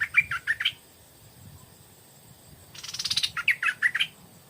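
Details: Evening song of a Stripe-throated bulbul used as a decoy to lure wild birds, 4 pm: a burst of liquid chirps, a pause, then a harsh rattling flutter followed by more bubbly notes; faint low rumble beneath.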